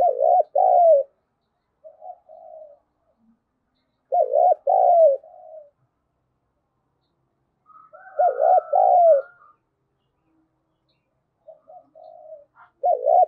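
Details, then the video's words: Decoy spotted dove in the 'giọng thổ' style, calling to provoke other doves. Loud two-part coo phrases repeat about every four seconds, with fainter coos in between. A soft higher hum is briefly heard mid-clip. "Tiếng chim cu gáy thúc bổi hiệu quả nhất - Chim Cu Mồi"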